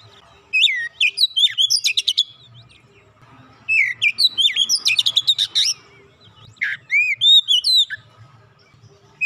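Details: Oriental magpie-robin, a singer used to coax quiet magpie-robins: three phrases, each with looping whistles and a quick buzzy trill, the last ending in a few rising whistled notes.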